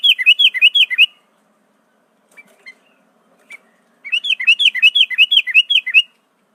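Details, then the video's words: Sooty-headed bulbul singing a song filled in with other birds' songs (prenjak, cucak ijo, cucak rowo, murai): quick runs of bright chirped notes, about seven per second, then near silence with scattered faint notes, then another fast run. "Burung kutilang isian prenjak cucak ijo cucak rowo murai"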